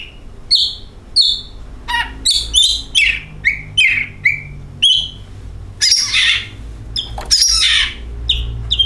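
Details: Oriental magpie-robin song serving as a singing lure: rapid sequence of short clear whistles and chirps, with two harsh scratchy bursts midway, quiet background hum.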